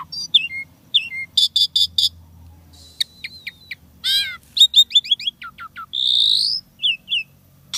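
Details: Caged Asian pied starling in lively 'isian tembakan' song, packed with mimicked material: sharp high chirps, stacked rapid trills, downslurred whistles and a buzzy rasping phrase, given in short bursts over a faint low hum.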